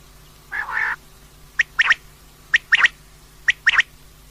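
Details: Female common quail calling, meant for night hunting: one drawn-out rasping note, then three clusters of quick sharp clicking triple notes about once a second.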